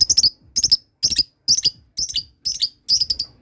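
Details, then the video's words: Lovebird learning to trill while other birds answer. Rapid clusters of three or four shrill, clipped notes repeat roughly every half second in a steady run. "Love bird belajar ngekek ,yang lain dengar langsung terpancing bunyi"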